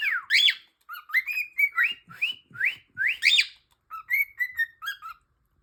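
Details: Cockatiel kept as a pet, calling without pause like an alarm clock: strong upswept whistles and wavering harmonic chirps, about a dozen notes repeated at a steady pace, ending in softer falling notes.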